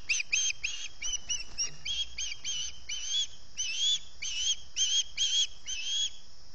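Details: Osprey at the Salt Point nest, early morning of 11 August 2020, hunger calling: a long run of about fifteen sharp, high whistled chirps, steady and evenly paced, some slightly upslurred, with soft background rumble.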